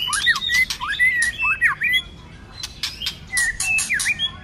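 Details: A white-rumped shama urged into fighting song, tail flicking, in many voices during the cold season: looping, slurred whistles with scratchy buzzy edges, a brief pause, then more clicks and swooping notes.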